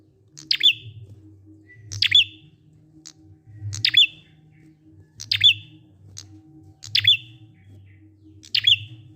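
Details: A prinia sings 'ngalun' style, meant to coax silent prinias into calling: six short, high, sharp chips, each sliding into a brief trailing note, spaced roughly one and a half seconds apart above a low droning hum.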